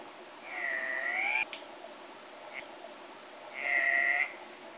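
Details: Andean cock-of-the-rock giving two separate drawn-out nasal calls, each lasting nearly a second and rising slightly at the end, about three seconds apart, with a sharp click and quiet background between them.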